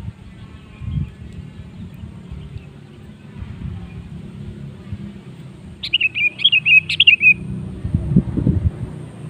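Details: Sooty-headed bulbul singing to stir other birds into song: one lilting phrase of falling whistled notes at about six seconds, set against a steady low rumble and some knocking sounds.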